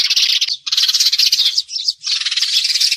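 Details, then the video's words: Lure calls of sparrows for glue trapping, heard as loud, rapid chattering in three bursts with brief dips between them, the middle burst ending in a few quick, higher chirps. "Tiếng chim sẻ chuẩn cho bẫy keo"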